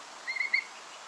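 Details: A Whimbrel in Santa Barbara County, California, gives three quick, clear, evenly pitched whistled notes run close together in under half a second, over a faint background hiss.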